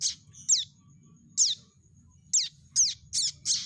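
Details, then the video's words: Prinia chick calls for trapping lure: scattered high, down-slurred squeaky chirps, irregular at first then quicker near the end, over a low steady background hum. "suara panggilan anak burung prenjak untuk pikat"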